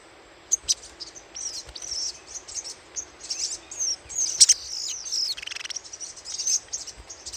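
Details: Lure recording of little spiderhunter chattering: a fast, almost continuous run of high-pitched chips and slurred notes that builds in the middle and then trails into scattered twitters.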